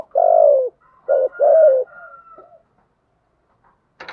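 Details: Decoy spotted dove cooing to lure wild birds: a long, low, falling coo, then a short coo and another long falling one, followed by soft faint notes and a brief noise at the end.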